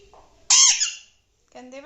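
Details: Pet Alexandrine parakeet kept indoors in a small room: one loud harsh screech lasting about half a second, then softer voiced talking-like sounds.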